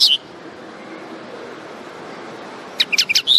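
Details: Common linnet: a brief high phrase opens, then silence with soft hiss, and a closing run of quick clipped chirps ending in a rising whistled note.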